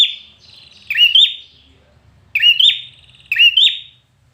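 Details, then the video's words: Red-whiskered bulbul in training for singing contests, producing three emphatic whistled phrases with a rising then falling double lilt, the first preceded by a thin trailing whistle, soft low rumble underneath. "Chào Mào Hót Căng Lửa"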